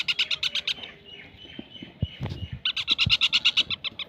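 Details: Young parakeet chick giving rapid, repeated high chirps in bursts, a pause with faint rustling and low thumps in the middle, then another fast run of chirps.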